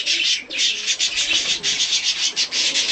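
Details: A hand-tame colour-mutation budgerigar, during a play and cuddle session at feeding time, chatters nonstop in harsh, buzzy, high-pitched bursts, pulsing several times a second with brief dips between phrases.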